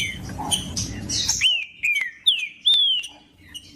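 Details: Green-winged saltator song, played to warm up caged birds for song tournaments: after a second and a half of scratchy chirps, a run of loud clear whistled notes, each sliding downward, comes in quick succession.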